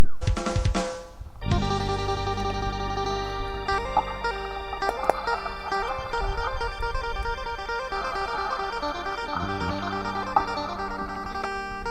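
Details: Music with guitar and drum kit plays throughout, with no animal sound.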